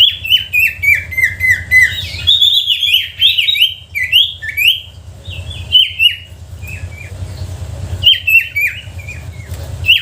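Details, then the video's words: Sooty-headed bulbul lure song for provoking reluctant bulbuls to sing: rapid, chattering runs of short downslurred whistled notes, repeated several times per second, with brief pauses and a low hum beneath. "Suara pancingan sirtu pikat gacor dor,sangat ampuh untuk memancing sirtu malas bunyi."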